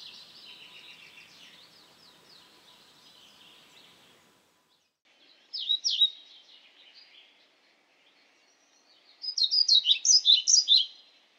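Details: Pied flycatcher: soft, rapid twittering for several seconds, a pause, a brief louder pair of notes, then a strong rhythmic series of about ten high, bright notes near the end.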